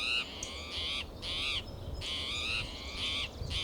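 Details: Spotted towhee calling loudly and persistently in coastal California's Del Monte Forest on a June morning; long, nasal, buzzy mews, some stretched near a second, coming back to back with brief gaps, over quiet background noise.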